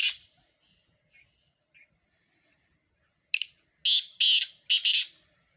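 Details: Four Sindhi black francolins in a calling competition: a faint harsh note, two small chirps, then a run of loud, grating, broadband bursts in quick succession near the end.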